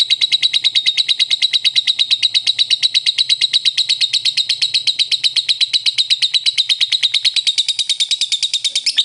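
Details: Long ngekek chatter of a lovebird, played to draw another lovebird into calling: a fast, even series of harsh high ticking notes running without pause.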